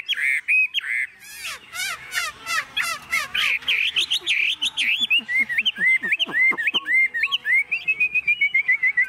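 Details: Hand-tame, cage-kept young Chinese hwamei, recently brought home, delivers loud whistled phrases: a few sustained notes, then quick repeated slurs and sharp upward whistles, building into a long, rhythmic chain of varied notes.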